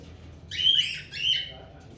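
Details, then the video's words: Talking pet parrot giving two short, bright squawks in quick succession, each a harsh rising-and-falling burst, over low background hum. "Parrot Urr Gea"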